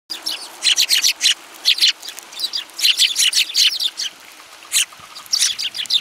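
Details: Several sparrows, recorded on 30 December 2017, give dense bursts of bright, high chirps in quick clusters with short gaps. The flocked calls overlap through the whole stretch.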